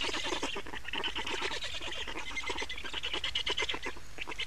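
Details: Black storks at a nest in Estonia on 28 May 2019 at 15:51, during adult changeover and feeding: a continuous fast stutter of raspy, broadband pulses, several per second, swelling and fading in short bursts without pause.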